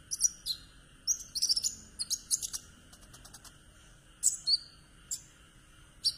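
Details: Conin singing in the trotol kumur-kumur style, a recording meant to lure a silent conin into song. Very high, thin chirps and short twittering bursts come at irregular intervals over a faint steady electronic hum.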